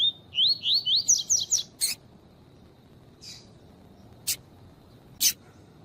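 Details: Double-collared seedeater 'tui tui' song, played to train and excite males alongside a female's call: a rapid run of rising whistled notes climbing higher, followed by a soft hiss and several sharp clicks.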